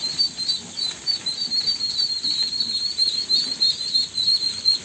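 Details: Ducklings calling with high, thin peeps that run together into a near-continuous piping, pulsing about three times a second over a soft background hiss.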